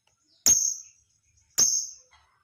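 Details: Lovebird calls used to draw other lovebirds into calling: two sharp, piercing high chirps about one second apart, each with a brief fading tail.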